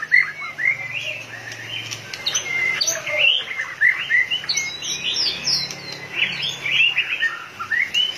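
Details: White-rumped shama at peak condition, beating its tail rapidly, pours out a lively stream of varied whistled notes, rapid twitters and upward-sweeping phrases, with a faint low hum underneath.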